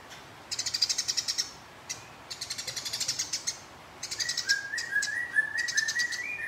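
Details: House sparrow fighting a rival, giving bursts of rapid, high buzzy chatter in quick pulsed trains, then a rising series of short clear notes toward the end, over a faint steady hiss.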